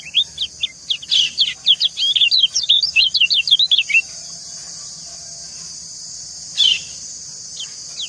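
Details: Female white-eye calling to a male, the pair answering each other; a fast, dense series of high twittering notes for about four seconds, then one buzzy chirp over a steady high hiss.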